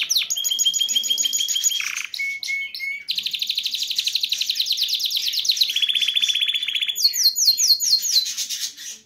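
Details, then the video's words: Excited caged male canary singing to stimulate a female to mate, song also used for teaching chicks; continuous high, rapid trills in changing tours of fast repeated notes, with a brief lower dip and short whistled notes midway, then buzzy high rolls. "تغريد ذكر كناري هائج يريد تكسير القفص يحفز الانثى لتزواج قمه الابداع لتسميع الفراخ"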